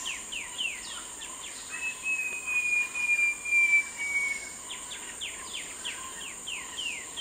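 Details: Short-tailed babbler singing: a long, thin, steady whistle that slowly falls in pitch, set among rapid runs of short, high, downslurred chirping notes against a steady high insect drone.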